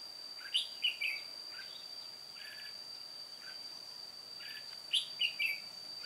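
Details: Old decoy red-whiskered bulbul singing solo during trapping, recorded 1 July 2018: two bright, warbling whistled phrases of three quick notes each, near the start and again near the end, over a steady high-pitched whine.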